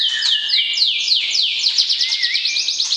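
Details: Caged white-rumped shama calling to arouse a prospective mate before breeding: a loud, fast, steady string of high downslurred notes, roughly eight each second, with a soft wavering whistle below.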